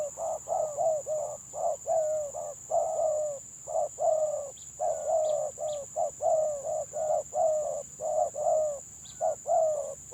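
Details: Stuttering 'gagap' song of a village spotted dove: long sequence of roughly twenty short, husky coo notes in uneven clusters, some doubled, with brief gaps; faint high bird chirps and steady background hiss.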